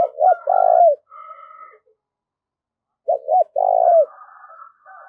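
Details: Spotted dove kept as a decoy, calling to draw in wild doves; a three-part coo phrase, two quick hoots then a drawn-out falling note, given twice about three seconds apart, with fainter higher bird notes between.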